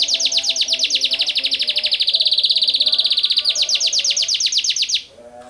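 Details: A Taiwan canary sings vigorously in a long, rapid rolling trill of sharp, high notes, about ten per second, sustained for five seconds with a brief shift in pitch near the end; faint low steady tones sound in the background.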